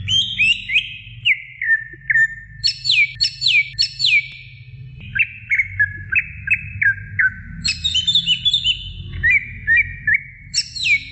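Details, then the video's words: Greater green leafbird singing a training recording for other birds: rapid series of sharp downslurred whistles, alternating high bursts with lower stepped notes, repeated in quick rhythmic runs over a faint low hum. "suara masteran cucak ijo gacor"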